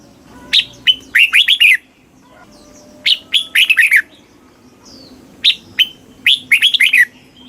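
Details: Red-whiskered bulbul from Thailand, southern Thai master-song style, played to excite caged birds and teach young birds. Three loud phrases, each with sharp lead notes and then a rapid warbling flourish, about every three seconds over a faint low hum.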